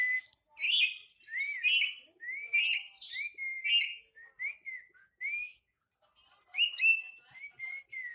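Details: Agitated black-capped lory kept as a pet, screeching harshly four times in quick succession, each scream tailed by a short upslurred whistle, then scattered whistles and a final burst of rasping cries.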